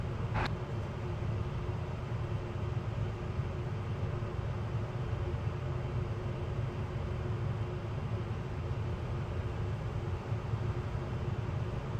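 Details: Steady low rumble of wind or machinery at a nest camera, with one brief click near the start and no animal calls.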